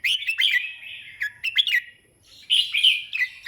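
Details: Red-whiskered bulbul singing on and on: bright warbled phrases with quick rising and falling notes, a short pause, then another burst of bubbly notes.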